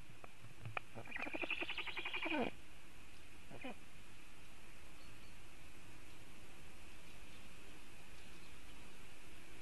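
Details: Black stork on its nest in Latvia, filmed by a webcam at 10:11 on 27 July 2018, defending the nest while a raptor is nearby: a buzzy, rapidly pulsed burst of about one and a half seconds, then one short note, over steady hum.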